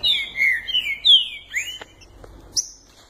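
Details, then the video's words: Green-winged saltator, one of two owned birds at the start of the singing season, gives loud slurred whistles that sweep down and up, followed by a rising whistle and a brief high note over quiet background. "Trinca ferro COBIÇADO E JANGO Maquinas já iniciando a temporada!"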